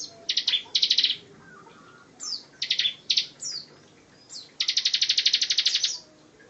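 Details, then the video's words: A Bar-winged prinia sings rapid, high, rattling trills in short bursts with quick slurred whistles between, the last trill longer, over a quiet background; a tight-volley song suited as tutor material for other songbirds. "Ciblek tembakan rapat"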